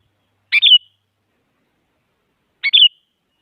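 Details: Two compact calls from a female sooty-headed bulbul summoning a male, meant to get silent bulbuls singing; each starts with a sharp tick and runs into a short warbled slur, with clean silence between.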